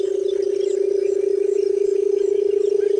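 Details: Steady, deep, buzzing purr of a barred buttonquail, quickly pulsed and unchanging across three seconds, with soft high chirps faintly behind.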